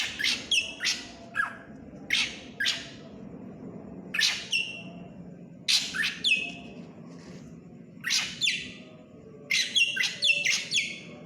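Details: Drongo, called srigunting krantil, singing vigorously (gacor): loud harsh squawking notes with buzzy, nasal overtones, given in irregular bursts of two or three through the clip over a low steady background hum.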